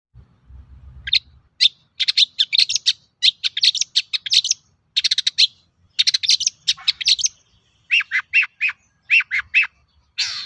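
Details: Long-tailed shrike song used as a lure to prompt other shrikes to sing: dense bursts of harsh, scratchy chattering notes in rapid clusters, followed by repeated sharp descending chips, with faint low rumbles at the start.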